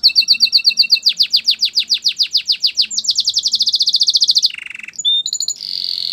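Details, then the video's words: Canary singing for training other canaries. A very fast, rhythmic train of chopped notes speeds into a higher rolling tour, then a low buzzing trill, a few bright whistles and a final sustained buzz. "Your canary will sing a lot if he hears this"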